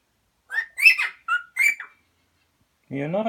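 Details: Pet parrot chattering away: four quick, bright, warbled phrases with rising and falling inflections over about one and a half seconds. After a pause, a lower, harmonic, voice-like sound follows.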